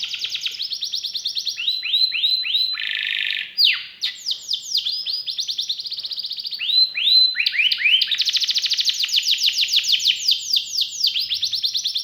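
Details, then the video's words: Canary singing a long varied song: rolling trills, a buzzy phrase, slurred rising whistles, then extended fast runs of repeated sweeping notes at different pitches, continuous and loud. "KENARI GACOR CENGKOK ISTIMEWA,ISIAN MEWAH"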